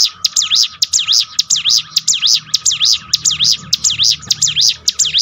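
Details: Bar-winged prinia singing as a training track to build a bird's fighting spirit: bright, sharply swooping high notes repeated quickly and regularly, nearly two each second, with a constant thin hum behind.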